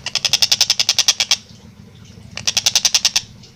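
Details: Long-tailed shrike in full song, a clear, fast, tightly paced master recording for Indonesian songbird keepers: two bursts of harsh, buzzy notes repeated about seven per second, separated by a second-long pause with a faint low room hum.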